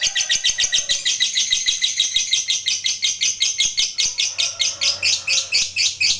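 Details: Long, unbroken lovebird chatter used as a rival-provoking song: rapid, scratchy, high notes pulsing in a steady rhythm throughout, with faint low room hum underneath.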